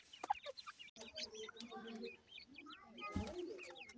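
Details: Feeding grey francolin chicks keep up a busy chorus of short high chirps, many slurred upward, overlapping one another, with a brief burst of rustling partway through.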